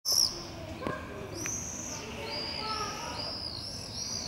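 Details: A common swift screaming party on a Brussels campus, 13 July 2020, with non-breeders exploring potential nest cavities: several shrill, high-pitched screams overlap, each drawn out and slightly wavering, with faint other birds underneath.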